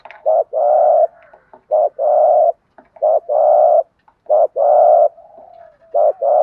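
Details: Spotted dove coos, from a male and female, meant to stimulate a trained bird: paired phrases of a brief note and a longer level coo, repeated steadily about four times with faint clicks.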